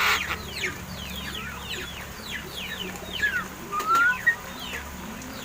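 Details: Captive mynas, about seven months old, hand-raised and said to be learning to talk, give a run of quick descending chirps and squeaks. A couple of longer rising whistles follow near the end, over a low steady background hum.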